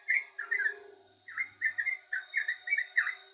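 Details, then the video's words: Lively yellow-vented bulbul singing a chain of liquid, bubbling whistled notes in short rolling phrases, after a brief quiet gap; low steady hum in the background. "burung trucukan gacor jos"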